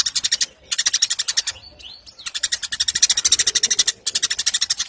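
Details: Eurasian tree sparrow in full song for contest-bird training: quick, rhythmic bursts of high chirps, with a short pause holding a few thin, sliding whistled notes.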